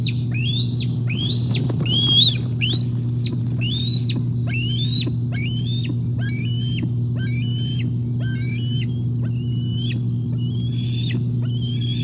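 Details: Wild bald eagles calling at the Decorah North nest, 8 May 2021, on a day adults brought fish: an unbroken series of shrill, rising whistled notes, each ending in a sharp drop, about one per second, with a constant low hum beneath.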